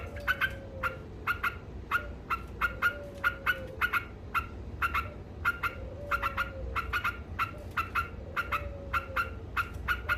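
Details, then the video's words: Yellow-vented bulbul in vigorous ngekek chattering song: sharp, bright clipped notes repeated in quick pairs and triplets, with a faint low sliding tone and steady low background hum. "Suara Burung Trucuk Ngekek Gacor"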